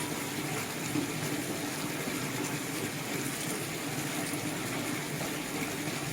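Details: Steady rushing, gushing water noise throughout, like a running tap or pump, with no animal calls standing out.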